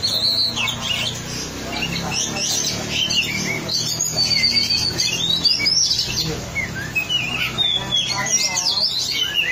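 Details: Oriental magpie-robin (kacer) singing vigorously while on the track: dense, varied high whistles and chattering phrases, some sweeping up and down, run almost continuously, with a faint low hum of speech or music beneath.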